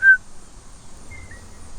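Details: A Blue Jay heard from indoors gives a brief, clear whistled note, then a second later a fainter, slightly higher whistle, a pleasant sound unlike its usual screaming. Quiet indoor background.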